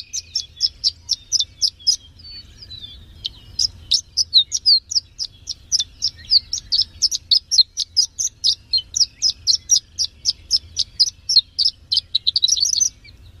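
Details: Third-place champion Horsfield's bush lark delivering a long, steady series of sharp, high chirps, about three each second. The notes are varied slightly, with a brief squeaky flourish near the end, over a soft low hum.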